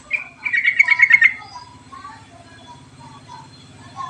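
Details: Yellow-vented bulbul lure recording meant to coax lazy birds into song: a short note, then a quick chattering trill of about a second, followed by soft scattered chirps and a low background hum.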